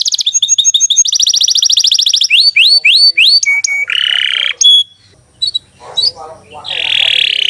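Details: Canary song in gacor style, varied: a rapid buzzy trill, then separate sharp upslurred chips, a harsh churr and a piercing pure note. Short pauses follow, then a rasping buzz at the end.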